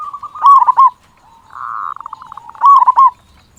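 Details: Local zebra dove singing with a big voice, recorded as a prompt for other doves: a loud stuttering coo phrase, a soft buzzy trill in the middle, then a second loud bubbling phrase.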